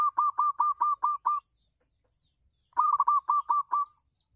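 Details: Local zebra dove singing on a house terrace, used as a lure for other doves: two runs of about seven short, even, mid-pitched cooing notes in quick succession, split by a pause of over a second in quiet surroundings.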